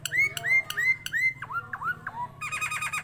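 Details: Energetic Nias hill myna song for rousing other mynas: a series of four clear whistles rising then leveling, followed by lower downslurred whistles and a burst of harsh buzzy notes.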